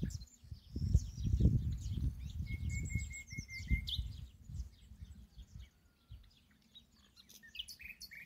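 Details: Common nightingale in an ash tree: a long flat whistle series, high slurred notes and a steady repeated pure tone, followed by quieter scattered chirps, over low rumble at the start.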